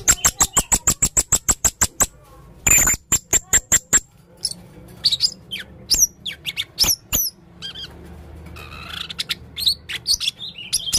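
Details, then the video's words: Male blue-crowned hanging parrot, gacor konslet teler main singa style: a rapid even string of piercing ticks, about seven per second, breaking into mixed squeaky chatter. "burung serindit jantan gacor konslet teler main singa"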